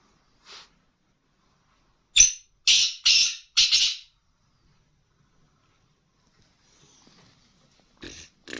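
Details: Harsh calls from a female black francolin (kala teetar): a burst of four grating, rasping notes over two seconds, then silence, with a faint scratchy note before and after.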